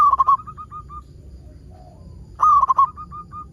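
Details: Local zebra dove in active song, meant as a lure to get other zebra doves singing: two bursts of quick stuttering coos, each followed by three or four soft clipped notes, with a quiet pause between.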